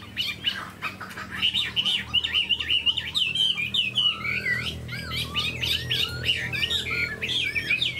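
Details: Chinese hwamei, tame and caged, fanning its tail and displaying its wings, sings twisting, looping whistles that grow louder and fuller, with quick runs of repeated notes.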